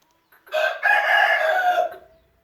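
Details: An Aseel rooster gives a single hoarse crow lasting about one and a half seconds. It opens with a short lead-in note, holds a steady, strained, buzzy tone, then trails off quickly.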